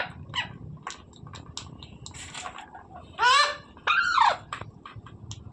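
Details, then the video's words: Parrot producing two loud harsh calls, the second rising then falling, after a stretch of quiet clicking and soft chatter over low background noise. "Parrot sound videos | Parrot voice | Tote Ki Awaaz | Mitthu Ki Awaaz"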